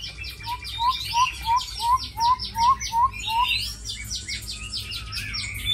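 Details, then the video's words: Tame Chinese hwamei, said to fight well and sing sweetly, repeats a lower, clipped note about twice a second, about ten times, over sharp higher chattering notes, then breaks into a scratchy, mixed warble. "Mi thuần đấu tốt hót hay"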